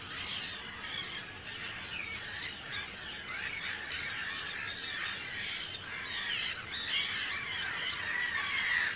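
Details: Breeding colony of Arctic terns on Rottumerplaat, Groningen, the Netherlands, 4 June 2023, hundreds of birds present. A dense, continuous wall of shrill, scratchy overlapping calls, with one clearer drawn-out cry near the end.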